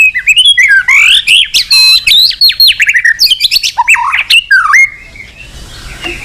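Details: White-rumped shama, a singing bird used to stimulate other birds to sing: rich, loud varied song of sweeping whistles, rapid rising and falling trills and sharp chirps, fading to quiet after about five seconds.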